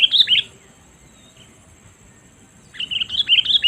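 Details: Lure call of a sooty-headed bulbul for attracting wild birds, with a quick run of sharp, bubbly chirps at the start, a long pause, then another lively chattering burst of twittering notes to the end.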